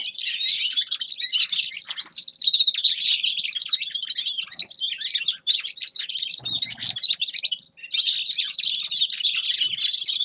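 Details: Grey-crowned goldfinch singing: a dense, unbroken twittering of quick high chirps, trills and buzzy notes that runs through all ten seconds with only brief dips, with no other clear sounds.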